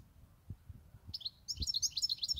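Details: European goldfinch kept for eight years. Quiet at first, then a burst of bright, high, rapid twittering with liquid trills and chirps that runs to the end.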